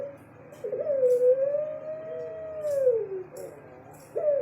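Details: Long sustained coo from a caged puter pelung Barbary dove, holding a steady pitch before falling away, then a short break and a new rising start, with light rustles and a steady hum.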